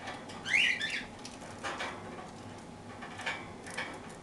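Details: A single raspy, warbled parakeet chirp opens the clip while the birds eat toast, followed by soft clicks and faint scratchy sounds.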